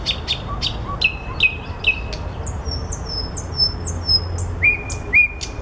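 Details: Nightingale singing in flowers: a sequence of falling whistled notes, then a high sweeping series of slurred whistles, ending in two clear sustained piping notes.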